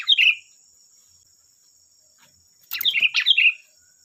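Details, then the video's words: Lure song of a sooty-headed bulbul meant to make other birds answer: a short gurgling phrase, a pause, then a longer chattering, slurred phrase, with a thin steady high whine behind. "Suara burung Kutilang Gacor || Suara pancingan Kutilang bahan"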